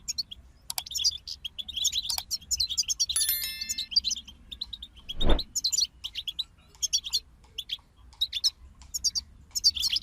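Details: Singing goldfinch group: dense, high, sparkling twittering and chirps almost throughout. A ringing electronic ding sounds briefly early on, and a sharp thump comes midway.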